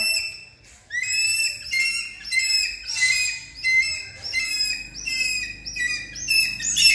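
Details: Hawk-eagle during a training session, calling repeatedly in shrill, harmonic whistles, roughly one drawn-out squealing note every second, steady and insistent throughout.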